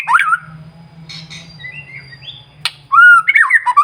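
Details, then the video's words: Shama singing to provoke others: a short whistled phrase, a quiet stretch with soft notes over a low hum, a sharp click, then loud rich slurred whistles. "murai batu gacor SIANG MALAM GACOR TERUS, Cocok Untuk Memancing Emosi Burung Murai NGELOWO"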